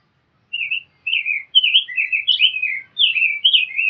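A Rose-breasted Grosbeak sings a sweet, rich warble of quick rising and falling notes, like a robin's, in a steady run with no other sounds.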